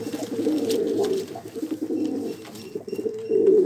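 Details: Pigeon giving low, throaty, rolling coos, nearly continuous with short dips, against a hissy, roomy background.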